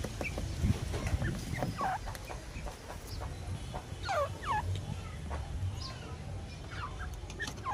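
Grey francolin giving harsh, rising, repeated notes in short bursts every couple of seconds, over a steady low rumble of background noise.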